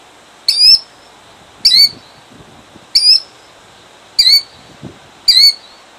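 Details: Insistent high screams from a killdeer protecting her eggs in Jackson, New Jersey, 2008: five evenly spaced calls, each with a hooked downward slur, roughly every 1.2 seconds.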